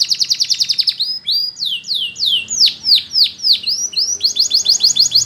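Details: Spanish Timbrado canary song used for training canaries to sing: a fast trill of clipped high notes, then a series of loud descending whistled sweeps about four per second, ending in another rapid rolling trill.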